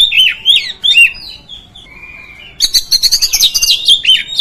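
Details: Song of an oriental magpie-robin, used to provoke rival magpie-robins; looping whistled notes, a long steady whistle, then a fast chattering run of harsh repeated notes mixed with whistles.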